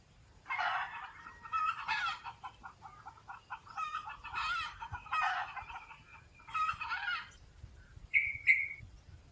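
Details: A wild chicken, the Red Junglefowl, perched in forest trees, utters a run of rasping, segmented fowl phrases every one to two seconds, ending with two short higher squeaky notes; soft forest background throughout.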